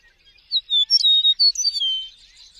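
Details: Eastern meadowlark singing its sweet song: a series of clear, slurred whistles that slide downward, ending on a long falling note, over faint twittering in the background.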